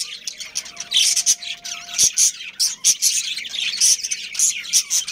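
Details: Captive breeding budgies in a family group give loud bright chirps and raspy squawks in close succession, a busy high-pitched chorus with brief dips between groups of notes.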